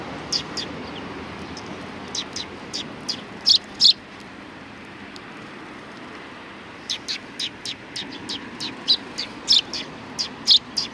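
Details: Sparrows turning out to greet visitors at a Tenmangu shrine, July 3, 2020; brief high tweets come in scattered clusters, a lull in the middle, then a quicker string of chirps near the end.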